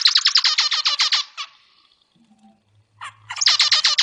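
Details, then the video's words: Kept zebra finch song used as training material for cage songbirds: a rapid string of buzzy, nasal notes over a second long, a quiet gap with faint low hum, then another burst of the same harsh repeated notes. "Suara Masteran Burung Zebra Finch"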